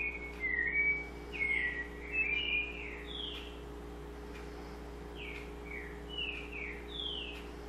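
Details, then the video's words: White-necked thrush song: clear whistled, slurred phrases rising and falling, delivered in a rich burst over the first three seconds, then spaced single whistles, over a steady low electrical hum. "Sabiá Coleira"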